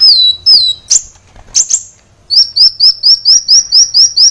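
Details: Training song of a sunbird for caged birds, high-pitched and clear: two falling whistles and scratchy bursts, then a steady series of short, sharply rising chips repeated about twice a second.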